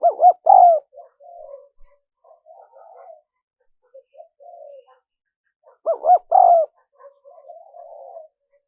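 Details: Spotted dove cooing, a sound used to lure wild doves: two loud phrases of quick stuttering notes ending in a drawn, descending coo, separated by about five seconds of faint soft murmuring.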